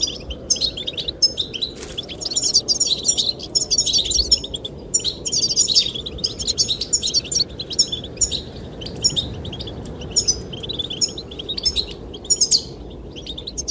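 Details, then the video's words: Goldfinch chirping for courtship of the female: long stretch of rapid, high twittering phrases, some dense and trilled, others sparse single chirps, over continuous low wind. "the chirping of goldfinches"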